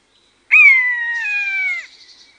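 A single drawn-out, mewing cry from a Common Buzzard, clear and high, holding its pitch for over a second before sliding slightly down at the end.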